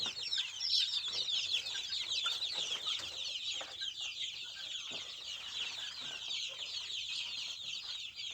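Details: Dense flock chatter from native Indonesian-style village chickens, ayam kampung and joper, made of countless short, high chirps piling over each other, slightly louder at the start and then easing off.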